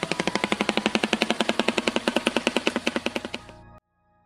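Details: A Shoebill stork of Africa clatters its bill, striking upper and lower mandibles rapidly: a dry, machine-gun-like rattle of about eight knocks a second, running nearly four seconds before stopping abruptly.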